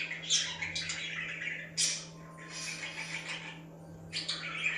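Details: Chattering budgies chirping to get other budgies active; rapid scratchy warbling with sharp high chirps breaking in every second or so, over a steady hum.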